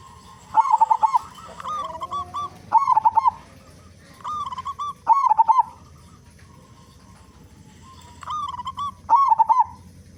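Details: Local zebra dove with a big voice, its song used as a lure to make other doves sing; bubbling, rolling coo phrases repeated about every two seconds, each followed by a short level tail, low hum beneath.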